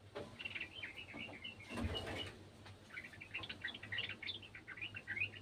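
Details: Garden sooty-headed bulbul chiming in with an untrained bulbul: a quick scatter of short, bright chirps, pausing briefly amid a rushing noise burst, then resuming in lively chattering runs.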